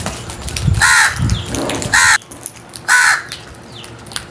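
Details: Three hoarse crow caws spaced roughly a second apart, each short and rasping, with some low thumping noise between them.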